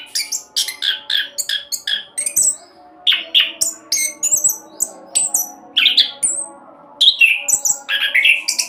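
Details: Orange-headed thrush, a caged bird used as a lure to get other birds singing, in a fast rolling song: dense run of varied whistled and chattering phrases, many high sharp notes and rising slurs, with brief pauses.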